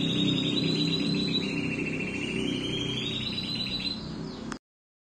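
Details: A male Timbrado canary sings a continuous metallic rolling trill, high and steady, pulsing about four times a second, over a low constant background hum.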